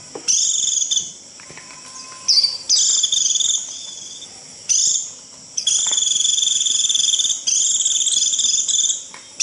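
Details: A white-eye gives the piercing 'rít' call meant to gather its flock: several high, evenly trilled buzzes of one to two seconds with short gaps between them.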